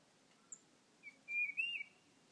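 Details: Tufted titmouse (Baeolophus bicolor) at a bird feeder switches from calling to song: two clear, mid-pitched whistled notes in quick succession, each steady then slightly dropping, after a faint high chip.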